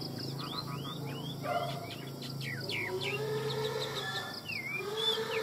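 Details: Chinese hwamei in a cage in Vietnam singing varied loud whistled slurs, some swooping down and others rising sharply, interspersed with quick chips, over a low droning hum and softer background sounds.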